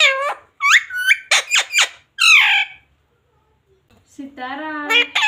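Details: A talking parrot, said to say "mummy", "papa" and "mithu ko roti do", gives a burst of rapid, harsh, speech-like syllables and a squawk, a quiet pause, then a longer, lower, drawn-out voiced phrase.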